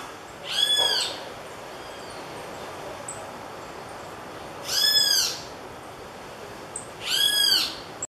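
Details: Great kiskadees give loud, harsh, arched alarm notes in three separate bursts while attacking an opossum climbing down a tree at Iriri, Anchieta, Espírito Santo, Brazil.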